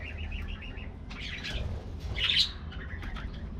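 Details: A colony of budgies in an aviary, being given a morning treat: quick trilled chirps, then brighter squeaky notes rising in a short burst, over a steady low hum.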